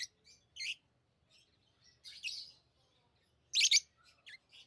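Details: Lovebirds kept as pets give scattered high chirps and short buzzy squeaks, one louder harsh double note near the end, with gaps of near silence between bursts.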